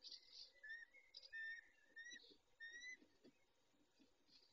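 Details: Peregrine falcon nest, male caring for the females, evening of 23-05-21 at 19:40: soft, quiet whistled notes, some bending upward, repeated irregularly against faint background hiss.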